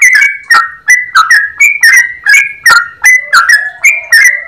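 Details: Yellow-vented bulbul sings a long fast run with a clear voice: crisp clicked notes with short flat tones follow one another quickly, and a lower steady tone joins midway.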